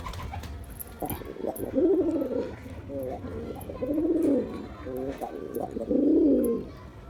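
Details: Male pigeon cooing to attract a female: three drawn-out, throbbing low coos about two seconds apart, each swelling then fading, with softer short notes between them and light background noise.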